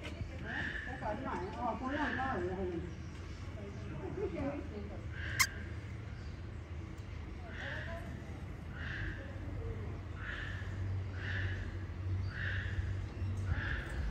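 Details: Lesser sulphur-crested cockatoo kept at Fukuyama City Zoo, Japan: a person talks at first, then a series of six harsh, scratchy calls about one per second, with a sharp click and constant low hum.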